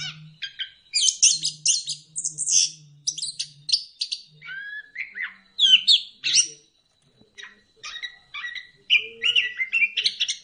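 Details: Orange-headed thrush pouring out a fast, varied song meant to get other birds singing, dense chirps, slurred whistles and short trills with barely a pause, over a faint low hum.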